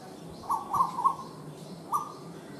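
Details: Asian koel giving three quick, clear mid-pitched notes in close succession, then a pause and a single matching note, over faint steady background noise.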